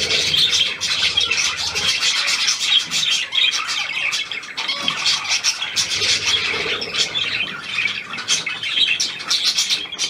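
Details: Hand-tame Australian pied budgerigar, new to its home, 17 February 2023: long stretch of bright, raspy warbled chatter with sharp chirps, steady and unbroken.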